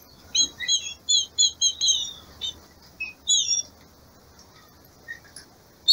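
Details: Female green-winged saltator in breeding season, used to stimulate the male: quick bursts of short high chirps, then scattered softer notes over a faint steady hiss.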